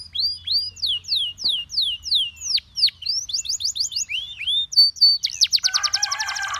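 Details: Canary singing to call and tempt other canaries into song: a run of loud, sweeping downslurred whistles repeated about three per second, then quick clipped notes and a fast, buzzy rolling trill at the end.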